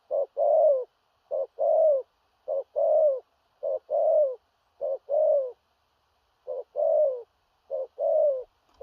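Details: Repeated coo series from a large spotted dove, thổ rặc style with gù cà lăm stammer; seven short-then-long note pairs, the long notes sliding gently downward, steady rhythm with one longer pause midway.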